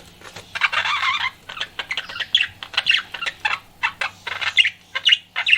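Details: Pet budgerigar in flirting mood utters a scratchy warbling burst followed by a series of separate harsh chirps and squawks about every half second, over a low background hum.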